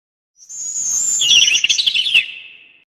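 A sparrow gives a thin high note, then a quick jumble of bright chirps that trails off into a lower sliding tone.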